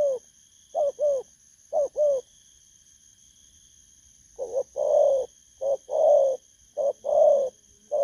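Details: Two-note coos from a wild-caught 'bầu'-style spotted dove, a few spaced pairs, a pause of two seconds, then longer swelling hoarse coos; a soft high electrical whine runs throughout.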